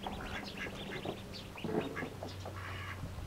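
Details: Mallard ducklings feeding eagerly; thin high peeps scattered through the clip over low background hum and splashy feeding sounds.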